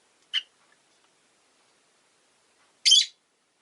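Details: Rosy-faced lovebird, caged with four others near a window on a winter day, gives one short sharp chirp, then after a pause of over two seconds a longer, harsher, high squawking chirp.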